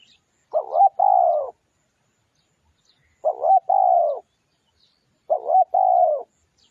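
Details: Spotted dove song played as a lure: three evenly spaced phrases, each a quick wavering double coo running into a drawn-out, slightly falling hoot, repeated roughly every two and a half seconds against silence.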